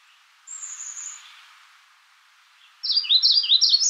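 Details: Magnolia warbler calling: one thin, very high sustained whistle, a pause, then a quick run of high, sharply slurred chip notes repeated several times a second, cut off abruptly.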